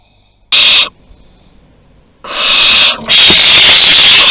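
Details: Barn owls at their nest at Théding on 22 August 2020, filmed during an agitated food delivery: loud, harsh broadband hissing bursts, one short then a longer drawn-out hiss that breaks briefly and resumes.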